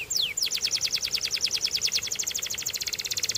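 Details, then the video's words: Belgian canary song: a couple of descending slurs followed by a very fast, steady rolling trill of sharp repeated notes lasting several seconds, with faint background hiss. "DO THIS And Your BELGIAN CANARY Will SING A LOT!"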